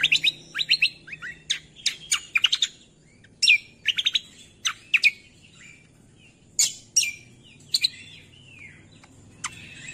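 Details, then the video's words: Cucak kombo singing in a songbird training recording: lively bursts of high, sharp notes and rattling stutters, with scattered sweeping whistles separated by brief gaps, over a soft low hum. "MASTERAN CUCAK KOMBO"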